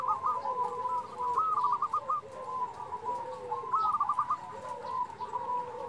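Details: Fainter local zebra dove calling: two short runs of trilled, bubbling coos several seconds apart over a soft background hiss.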